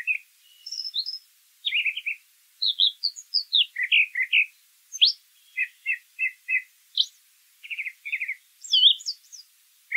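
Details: A brown thrasher sings steadily, mixing high thin whistles with lower raspy chirps, many notes repeated two or three times before switching to a new phrase.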